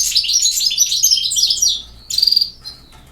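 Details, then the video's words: European goldfinch, a campero bird, pouring out a loud continuous tinkling, twittering phrase for two seconds, ending in a short ringing buzzy trill, then silence. "El Jilguero BiH 25"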